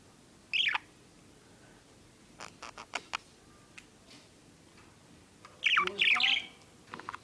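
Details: A pet budgerigar chatters in quick, squeaky bursts of high warbling mimicry broken by soft clicks.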